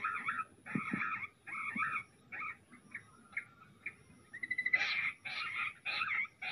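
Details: Jungle bush quail during a fight; short harsh, buzzy bursts separated by brief pauses, then a quick accelerating trill that breaks into louder grating chatters repeated in a steady series.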